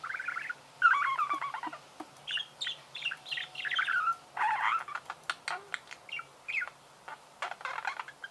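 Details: Budgerigars singing, chattering warbled phrases and squeaks in bursts, with clicking sounds between.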